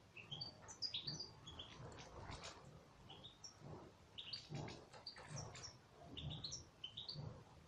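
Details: European goldfinch in captivity singing a lively string of high, sharp, rising chirps and short twitters, grouped in quick bursts, with soft rustling and low background noise.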